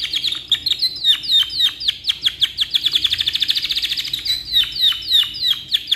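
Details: Energetic canary in long tutoring song: steady stream of sharp downswept chirps, building into a fast rolling trill midway, then spaced sweeping notes and quick chips.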